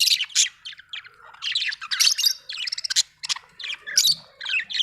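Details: Budgerigar chirping: rapid bursts of sharp, buzzy squeaks and chirps, closely packed and varied, with tiny pauses between phrases.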